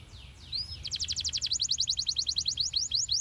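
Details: Canary song used as a lure to get young canaries singing quickly and rolling long: a couple of slurred whistles, then a fast, even trill of sharp downward-sweeping high notes, about seven per second, over low background hum.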